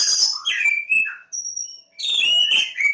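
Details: Javan Oriental magpie-robin at Lebakgowah giving bright whistled phrases, a thin sustained high note, a short pause, then a burst of tumbling warbled notes.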